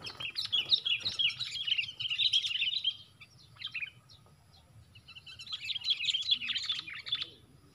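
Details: Sooty-headed bulbuls, set four against one, give two bursts of rapid, harsh, bubbling chatter, high-pitched and tumbling. A short quiet gap holds a few scattered chirps.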